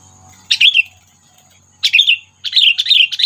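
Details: Sooty-headed bulbul lure call used in bird trapping to provoke predators: three bursts of bubbly, slurred chirps, the last a quicker run of several notes, separated by short pauses against a faint steady high hiss.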